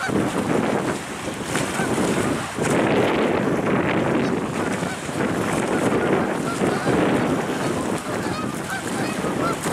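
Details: Flock of geese in late November flying between the ocean, a ballfield where they eat grass, and a pond in the woods; dense overlapping honks in a continuous clamour, with heavy wind noise throughout.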